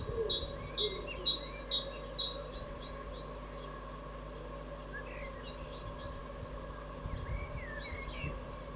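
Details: Evening song of a great tit, 16 April 2022: a crisp high two-note phrase repeated five times in quick rhythm, then quiet with faint distant chirps from other birds and a steady low hum.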